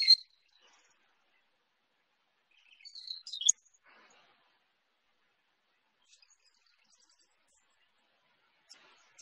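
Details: Marsh Wren perched atop an old cattail by a marsh boardwalk at Lake St. Clair Metropark in spring, giving brief, high, bubbly chattering bursts, one at the start and a longer run about three seconds in, then long quiet gaps.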